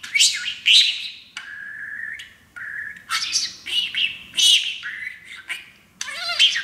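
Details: Male pet parakeet talking while perched on his brand-new playground; chattered phrase-like bursts mixed with steady whistled tones held about a second, then fast squeaky warbles.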